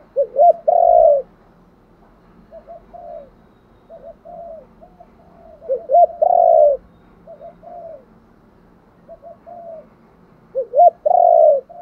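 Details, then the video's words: Repeated luring coos of a spotted dove: three loud phrases of two short rising notes and a long coo, separated by softer, low hooting notes. "cu gáy thúc gù gáy gọi/ tiếng chim cu gáy đủ bài"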